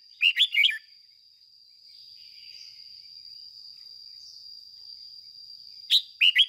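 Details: Red-whiskered bulbul decoy singing in the 'ché' style to rouse other bulbuls: a quick phrase of bubbly whistled notes, a long stretch of steady insect-like high whine, then another brief whistled burst.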